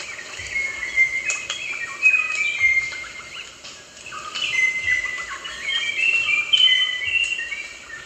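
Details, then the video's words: Rosella calls: clear whistled notes that slide and step in pitch, some short and piping and others drawn out, overlapping with quick chirps from several birds. A faint low rumble sits underneath. "Rosella Bird Sounds"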